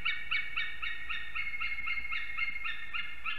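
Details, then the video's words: Two unringed adult eagles at their nest in Ķemeri, Latvia, filmed by nest camera at 6:01 am on 8 March 2024 during arrival and mating; a fast series of harmonic yelping notes, about four per second, steady throughout over a low hum. "Ķemeru Eagles~🎵 Morning Chorus, Arrival Mating & Singing"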